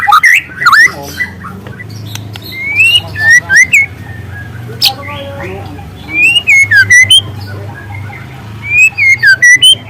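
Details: Wild juvenile White-rumped shama with speckled plumage giving loud canary-style phrases: groups of slurred whistled notes, each rising then dipping, in spaced bursts.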